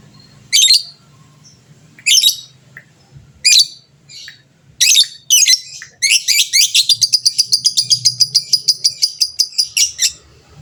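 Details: Fighter lovebird in gacor form meant to spur other birds into song: harsh separated squawks, then a long fast trill of rhythmic shrill notes lasting about four seconds, the ngekek panjang chatter.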